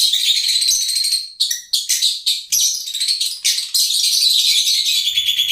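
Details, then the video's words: High-pitched, squeaky chattering of lovebirds, nearly unbroken, with clustered shrill chirps and a few sudden louder bursts, ending with a faint low hum underneath. "Love Birds Nature Sound"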